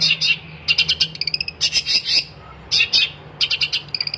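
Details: Long-tailed shrike delivering a chattering song in separate bursts, each packed with scratchy high notes and rapid ticks, ending on a short series of repeated thin whistles, with a low electrical hum beneath.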